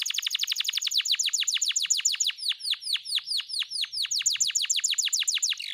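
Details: Caged canary sung to in the morning as a lure for a bird reluctant to sing: a long run of rapid, steeply falling chirps, steady and loud, about two or three per second throughout.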